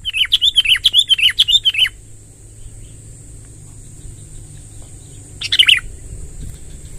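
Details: Sooty-headed bulbul delivering a long rolling song to call in wild birds: a quick series of about ten bubbly, repeated warbled notes over two seconds, a pause, then one more burst, with a thin steady hiss.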